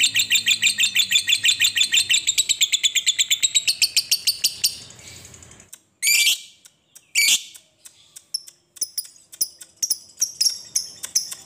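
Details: Lovebird long chatter meant to make lovebirds sing: a fast buzzy rattle for about five seconds, a pause, two loud harsh screeches, then scattered sharp clicking chirps.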